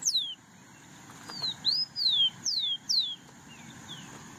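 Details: Rufous-collared sparrow singing: a short series of clear, high whistled notes, each sliding down, delivered at an uneven pace with brief pauses between them, over a faint steady hiss.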